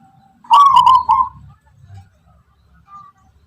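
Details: Local wild zebra dove of the Tuban lineage, whose voice is described as rhythmic and melodic and distinctive among zebra doves: one quick burst of stuttered, pulsing mid-pitched coos lasting under a second, then quiet with faint low background rumble.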